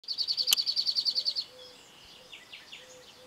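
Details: Cirl bunting at Penha Garcia, Portugal: a dry, rattling trill of about a dozen quick identical high notes on one pitch, lasting under two seconds, followed by faint notes from other birds.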